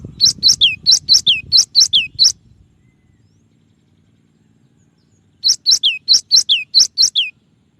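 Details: Cinereous tit song with variations, recorded clean as a tutor recording: a fast run of high chip-and-slurred-whistle notes, a long pause, then a second run of about eight notes, with faint low rumble at the start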